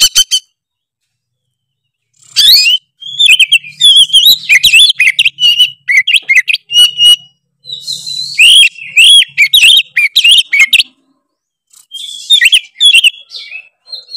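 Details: Oriental magpie-robin in full gacor ngeplong song meant to provoke rival magpie-robins: long runs of rapid, varied whistles, slurs and clicks, broken by two short silent gaps, with a faint low hum beneath.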